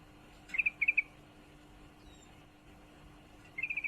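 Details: A female sooty-headed bulbul in heat calls for a male with two brief clusters of two or three clipped notes, then silence, then a fast five-note chattering burst at the end.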